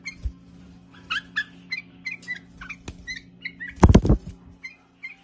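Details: Bulbul giving a full song of short, clipped whistles and chirps spaced about every quarter second, interrupted by a loud burst of knocking and rattling near the end, with a constant low hum in the background.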